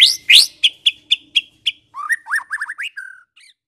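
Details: Medan white-rumped shama singing to provoke others: two loud harsh notes, then a run of sharp high chips, then softer slurred whistles at a lower pitch.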